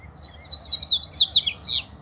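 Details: Double-collared seedeater, a caged bird, singing in competition with a loose male: a loud run of rapid, high twittering notes that rises into a dense, buzzy warbled phrase, over a low background hum.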